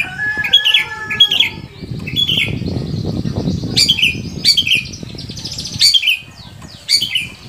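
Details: Long-tailed shrike song meant to set other shrikes singing: scattered sharp chirps and slurred notes, some in pairs, with a spell of rustling noise in the middle.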